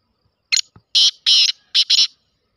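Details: Kala teetar, the black francolin, giving a loud harsh phrase: a sharp opening note, a brief pause, then four rasping, scratchy notes in quick rhythm, two longer and two clipped, with nothing else audible around them.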